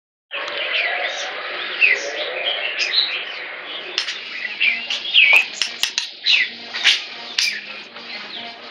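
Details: A male captive white-rumped shama with an almost 8-inch, still-growing tail, known as very loud, sings a rich, continuous run of clear, fluty whistles and sharp upslurred and downslurred notes, with a faint hum behind.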